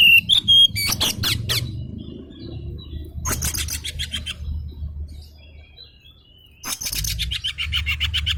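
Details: Oriental magpie-robin voice of an agitated bird, played to prompt a silent bird into answering: one brief clear whistle, then harsh, buzzy bursts of rapid chattering near one, three and seven seconds, with quieter gaps and low background hum.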